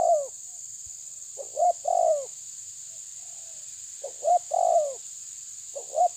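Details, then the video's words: Challenging a rival, a spotted dove repeats its mellow phrase roughly every two and a half seconds: a brief stuttered double coo leading into a longer descending coo, under a continuous shrill background hum. "Terkukur menekan lawan bikin emosi"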